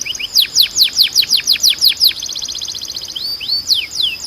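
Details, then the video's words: Canary song used for training other canaries: fast series of descending whistled sweeps, then a rapid trill of short repeated notes, ending with rising and falling whistles. "Melhor Som de Canário Para Treinar"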